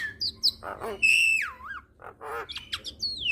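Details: Javan myna song meant to get other mynas singing, full of variety. A long clear whistle slides down and wobbles, framed by short nasal squawks and crisp high chips.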